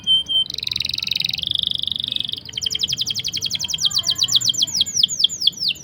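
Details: Canary singing a long rolling song, used as a tutor and lure for stuck or young canaries: a steady buzzy roll of about two seconds, then a fast run of sharp, downward-sweeping whistled notes.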